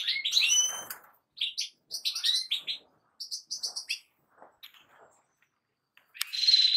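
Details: European goldfinch singing: quick bursts of bright, twittering and tinkling high notes with short slurred whistles, separated by brief pauses and ending in a sharp buzzy phrase.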